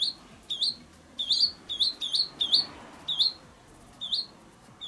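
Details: Nestling swallows at the nest on a sunny April day in 2020, begging for food as fledging approaches; sharp, high, upward-flicking chirps repeat in quick irregular runs, some doubled, with short silent gaps between.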